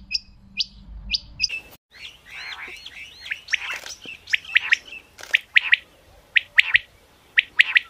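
Female common quail giving short, high chirping notes about once a second, some with a quick upward-curving inflection. There are two sharp knocks and a faint low hum.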